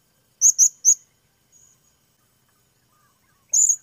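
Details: High, thin calls of a Blue-crowned hanging parrot: three quick sharp squeaks in a row, a long quiet gap, then one buzzier high burst at the end.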